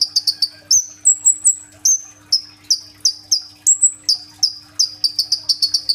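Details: Energetic kolibri ninja sunbird in full tembakan isian roll song, used as a lure for green-plumaged young birds and recorded on a phone: fast bursts of sharp high chips, then longer level whistles at two pitches, ending in a rapid chip series.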